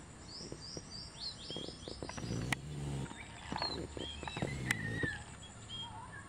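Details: Captive zebra finches at a finch farm in Lahore, Pakistan, chatter with quick, high chirps and short nasal beeping notes, several birds overlapping, over a steady low hum and background noise.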